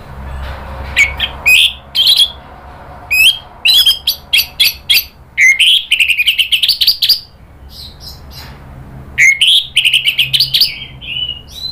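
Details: Orange-headed thrush provoked into agitated singing, nratak moving into ngeplong: fast chattering chip series with varied whistled and warbled notes, long loud bouts with brief pauses, clean background.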